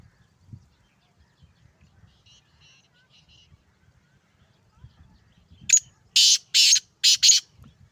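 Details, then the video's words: Calling male black francolin, a Sindhi kala teetar: after quiet seconds with faint distant chirps, a burst of four loud, grating, buzzy notes delivered in quick rhythm near the end. "سندھی کالا تیتر ٹانگ کی بلائی ماشاءاللہ مست بلار"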